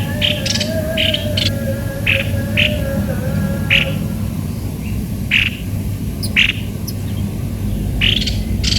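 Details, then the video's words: Cucak kopi-kopi giving short harsh, rasping bursts repeated at irregular intervals of roughly half a second to a second, with a faint steady tone and a constant low hum throughout. "ternyata begini suara burung Cucak kopi - kopi"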